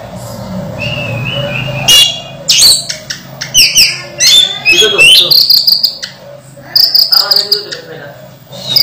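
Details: Orange-headed thrush kept in a cage during its moult, still in full voice: a thin held whistle, then rapid varied chattering and sweet whistled notes in quick succession, with a constant low hum behind.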